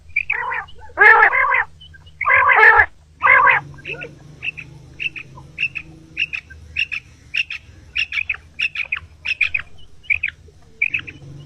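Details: Quail calls at morning for hunting, common quail: three loud harsh broad notes open, followed by a long regular series of short high clipped notes about twice a second over low background hum.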